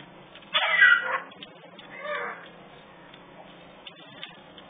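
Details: Young African grey parrots, three chicks kept at a parrot rescue, giving a loud harsh raspy squawk, then a softer drawn-out second call, over a steady low background hum.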